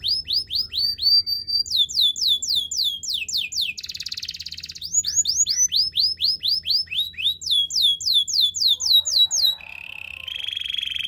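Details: Training song from a canary with rapid repeated high chips grouped into tours, a short buzzy roll in the middle, further rhythmic runs of sweeping notes, ending on a lower wavering trill.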